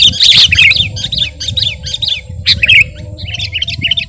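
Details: Sooty-headed bulbul in full song, meant as a training and lure recording: a rapid series of sharp chirping notes repeated about four times a second, a brief pause, then softer quick chirps.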